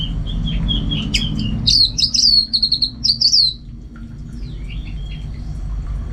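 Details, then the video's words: Orange-headed Thrush in captivity, singing hard as contest training, pours out a dense string of high, sharp whistled notes and chirps lasting about two seconds, followed by softer calls, over a continuous low hum. "Super Kicauan ANIS MERAH Gacor"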